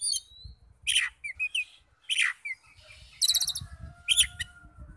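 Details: Oriental magpie-robin song used to provoke other magpie-robins to answer: scattered harsh chattering bursts mixed with short whistled slurs and a rapid stuttering trill, over a low rumbling background.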